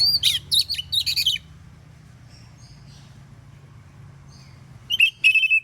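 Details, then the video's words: An Oriental magpie-robin singing in the morning to make other magpie-robins answer opens with a rapid series of high, warbled and scratchy notes, falls silent, then returns with whistled phrases near the end, over a low hum. "KACER gacor NGEPLONG di pagi hari BUAT KACER lain NYAUT"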